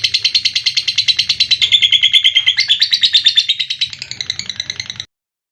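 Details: Lovebird giving its long 'ngekek' trill, an unedited natural recording used to prompt young and lazy adult lovebirds to sing. It is a fast, even, buzzy pulsed chatter lasting about five seconds, stepping up slightly in pitch midway, then it stops.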